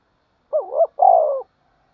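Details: Single spotted dove coo phrase given as a fighting and calling song: a short wavering double note, then a stronger drawn-out coo sliding down, in a quiet background.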